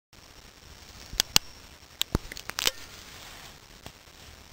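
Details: Scattered sharp clicks and handling taps sound over a quiet indoor background, with no animal calls.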